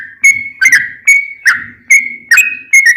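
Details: Sooty-headed bulbul singing as a lure to provoke other bulbuls into answering: clear whistled notes with crisp starts, about seven spaced evenly across a few seconds, each sliding slightly.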